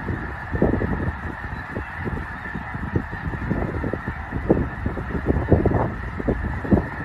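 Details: A flock of a few thousand snow geese at Loess Bluffs National Wildlife Refuge, northwest Missouri, in fall. Their calls form a dense, continuous din of overlapping nasal honks and barks with no pauses.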